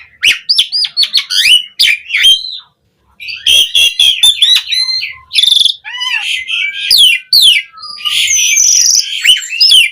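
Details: Black-collared starling song with varied fillers, used to lure and tutor caged starlings: rapid mix of whistles, twisting slurs and harsh chatter, dense and loud, with one short silent gap.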